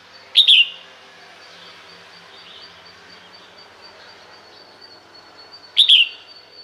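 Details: Female red-whiskered bulbul calling to attract males, giving two loud, clipped chirps with a brief falling slur, roughly five seconds apart, over a steady hiss of background noise.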